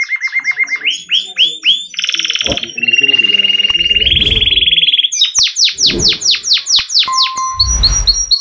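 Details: Yellow canary singing a varied, continuous song: rapid repeated high downward-sweeping notes, then steady buzzy trills near the top of its range, returning to fast repeated sweeps, with a few low knocks and thumps in the background.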